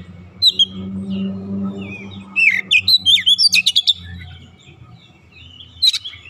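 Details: Oriental magpie-robin, a caged kacer, in song: scattered whistles, then a rapid burst of sharp, high chattering notes in the middle, and one last whistle near the end over a low hum.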